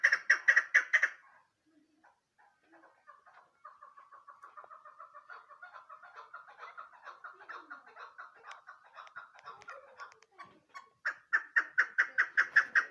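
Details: Female chukar partridge kept as a hunting bird. A burst of loud, harsh chuck notes opens the recording, then a long stretch of softer rapid chattering follows, and a final run of strong rhythmic chucking notes ends it.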